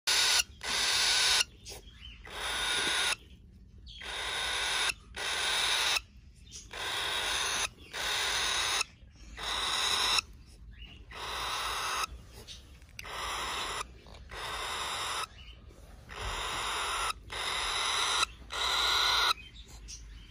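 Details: Four-week-old cockatiel chicks give harsh, hissing rasps in quick bursts, one after another every second or so.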